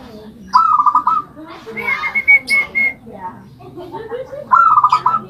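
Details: A caged zebra dove in a homemade rice-container cage sings. It gives a short trilled coo phrase, then a higher drawn-out whistled note, and the trilled coo returns at the end. Children's voices murmur in the background.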